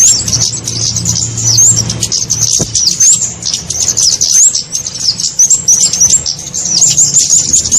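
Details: Small-bird lure call for flowerpeckers: thin, piercing high chirps with short slurred upward and downward notes repeated in irregular bursts, over a low background hum.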